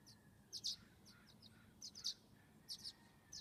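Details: Violet-green swallow nestlings, 19 days old, at a nest box in the morning as a parent flies by to deliver food, give thin, very high chips in quick clusters of two or three, roughly every second and a half, over a faint hum.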